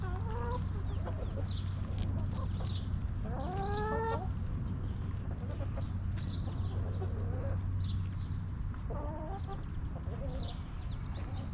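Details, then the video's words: Backyard chickens in their coop: several hens give rising, stacked, harmonic clucks, the loudest burst around the middle, with more clucks near the end, over a steady low hum and faint high chirps of small birds. "Rooster Crowing! Hens Clucking!"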